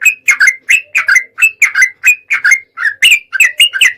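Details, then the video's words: Lure recording of a sooty-headed bulbul meant to get other birds singing: short gurgling two- and three-note bursts delivered steadily, roughly three per second, clear against a quiet background. "suara pancingan TRUCUKAN 💯% langsung bunyi"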